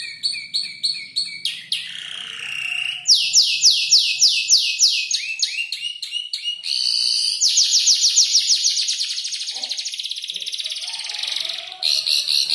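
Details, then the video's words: Five-month-old canary composing song from copied tutor birds including ciblek and prenjak lumut; repeated clipped chirps, a buzzy trill, loud swooping whistles, then a long continuous rolling trill. "Kicau burung kenari gacor noto lagu U 5 bulan"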